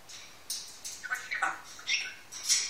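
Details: One-year-old pet grey parrot indoors, giving a string of short mimicked syllables and squawky notes, some high and thin, others lower and voice-like, with brief gaps between them.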